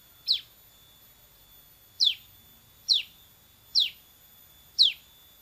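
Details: Bar-winged prinia in an actively singing training recording: single sharp, falling chirps spaced about one second apart, with quiet in between.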